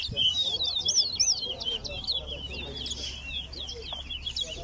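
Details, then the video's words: Chestnut-bellied seed finch (towa towa) singing during a race at Lusignan Ground, Guyana. A fast, continuous warbling run of sliding whistled notes repeats several times a second, with a low hum and quiet voices behind it. "Towa Towa Race"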